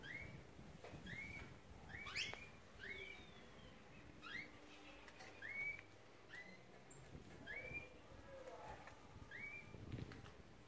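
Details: Belgian canaries in an aviary during their daily routine: a series of short rising whistled notes, repeated roughly every second, with a few sharper chirps scattered among them and low background rumble.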